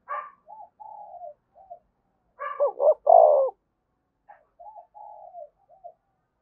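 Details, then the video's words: Spotted dove giving energetic thúc bổi coos. Faint low coos surround one loud, throaty burst of three rolling notes in mid-clip, and the softer coos return afterwards. "tiếng cu gáy thúc bổi cực sung"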